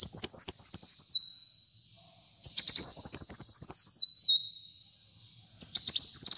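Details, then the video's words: Kolibri muncang sunbird song for training pet birds: repeated very high, sharp trills with zigzagging descending notes, a long pause-free phrase in the middle, then a fresh burst starting at the end. "Kolibri Muncang Gacor Dor"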